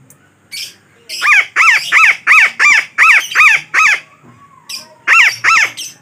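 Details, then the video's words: Parakeet lure call used for trapping: a run of eight harsh, nasal squawks in quick even succession, a short pause, then two more squawks. "Suara Pemikat Burung Betet yang Sangat Ampuh"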